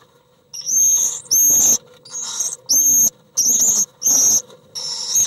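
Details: Common swifts fighting inside an occupied nest box in July, an intruder clashing with the resident pair: loud, shrill, high screaming bursts about half a second long, six in a row with short gaps, plus faint scuffling.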